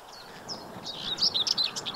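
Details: Black-winged stilt in spring at Séné Nature Reserve, Brittany, France, on 15 April 2023: a busy burst of sharp, high, yelping notes that grows louder and quickens through the second half.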